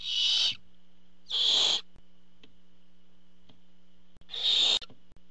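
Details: Barn owl nest as the father arrives with food, three loud rasping hiss-screeches, two close together then a gap of nearly three seconds, with small clicks and a steady hum.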